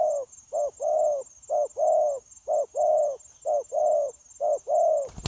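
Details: Wild-caught spotted dove in a trapping recording from 9 January 2024, cooing in an unbroken run: four pairs of low hollow notes, each a quick note and a longer coo, evenly spaced, ending with a sharp click.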